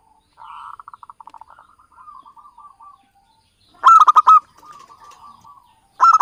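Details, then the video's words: Local Javanese zebra dove lure call for trapping: a softer series of quick, fading trilled coos, then two louder phrases of crisp, percussive rolling notes. "SUARA BURUNG PIKAT PERKUTUT LOKAL JAWA"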